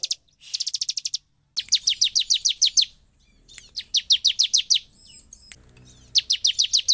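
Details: Sunda whistling thrush, kept as a singing bird, in full vigorous song said to rouse other birds into singing: bright rapid series of sharp downslurred whistled notes, about eight per burst, repeated in several bursts with short pauses, a high steady tone early on.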